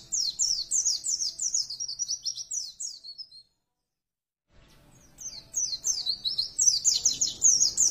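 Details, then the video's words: White-eye kept in a cage, said to produce a strange sound, gives a fast high twittering run of slurred notes, falls silent for about a second, then resumes with louder, denser chatter. "pleciku bunyi aneh"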